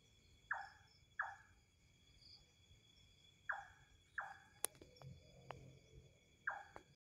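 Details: Strange call of an unidentified bird, heard for years but never seen: sharp falling notes in loose pairs, with insect drone, a sharp click and a low rumble midway.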